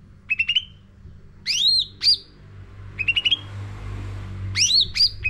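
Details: Training lure song of a sooty-headed bulbul for caged birds: short chirp bursts alternate with loud rising-and-falling whistled notes, phrases separated by gaps of about a second.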